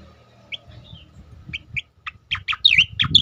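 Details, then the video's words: Striated grassbird song for training and provoking other birds: a few spaced chirps and a soft whistle, building into a loud, quick run of warbled, twisting notes, with low rumbling behind. "khass tembakan cicakoreng untuk masteran dan pancingan bunyi burung lain"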